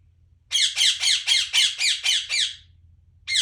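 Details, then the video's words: Parrot chirping: a fast run of eight harsh, raspy notes, about four per second. After a short silence one more rough note follows. "Parrot chirping sound"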